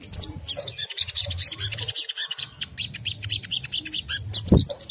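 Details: Crimson sunbird in ngriwik kemrecek style, a lure song meant to provoke other sunbirds into singing: a dense, rapid run of high buzzy chattering notes, nearly continuous, with a low rumble underneath.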